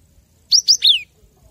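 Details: Cinereous tit, a master recording played to train captive birds to sing: one quick phrase of two bright upslurred whistles followed by a longer descending slurred note, clean and high-pitched over a quiet background.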